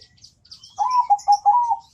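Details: Zebra dove singing: a deep, full, melodious cooing phrase of several rolling, slightly rising notes near the low-middle range, with faint high chirps from other small birds in the background.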